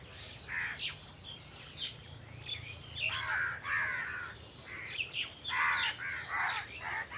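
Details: Crows in a treed setting giving scattered harsh caws that grow denser midway, with sharper chirping notes from other birds interleaved and a steady low background rumble.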